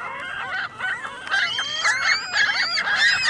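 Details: Gulls on a parking lot in Michigan City calling together, a noisy mass of shrill, bending squeals and yelps overlapping without a break.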